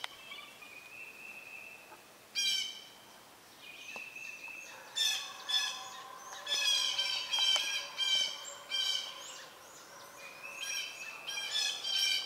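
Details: Southern Red-shouldered Hawk nest, young near fledging, adult arriving with a snake: a quiet start with a thin steady tone, then a long series of loud, harsh, descending squealing cries repeated about every half second.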